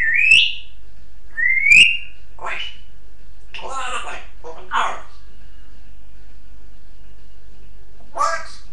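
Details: A pet African grey parrot gives two sharp rising whistles, then a few short, hoarse, word-like phrases of mimicked speech spaced over several seconds in a quiet room.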